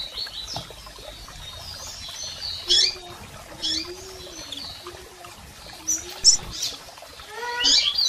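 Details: Female and male double-collared seedeaters calling to stimulate a male; scattered high chirps and short descending notes, with a faint lower whistled tone running through the middle.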